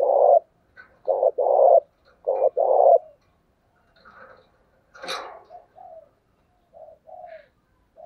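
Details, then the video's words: Decoy spotted dove coos to goad wild doves into answering, in the thổ voice style. Two strong hollow coo phrases fill the first three seconds. Fainter, softer cooing and a brief sharp clatter follow. "tiếng cu gáy mồi chuẩn thúc vầy bổi nghe ức chế gáy liền"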